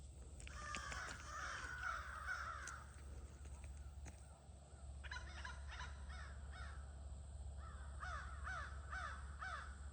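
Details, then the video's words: Crows at an evening gathering, August 2026: an opening swell of overlapping caws, a lull, then scattered bursts of repeated harsh calls over a low rumbling background. "Sounds of the Near-Evening Crow Gathering"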